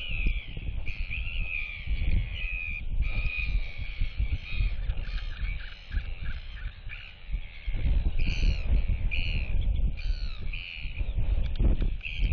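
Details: Royal albatross displaying to chicks at neighbouring nests, head turned side to side while whistling as neighbours clack; series of drawn-out, wavering upper calls repeated over strong low wind rumble.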